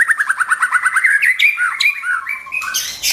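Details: Song of a white-rumped shama, used to teach young birds their song: a rapid, accelerating string of repeated chips, then a few lower, falling whistled notes.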